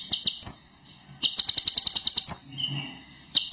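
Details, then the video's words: Actively singing ruby-cheeked sunbird (kolibri ninja) in a tutor recording for young birds, delivering sharp 'tembakan' notes: a fast burst of high, metallic ticking notes with quick upward whistles, a pause, then another dense trill. "Kolibri Ninja Gacor Full Isian | Masteran Konin Tembakan Pedas"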